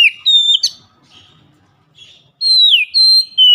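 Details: Oriental magpie-robin giving a loud lure song used as a daily stimulus: clear whistled notes, some steady and some sliding downward, in two bursts separated by a quiet pause of about a second and a half.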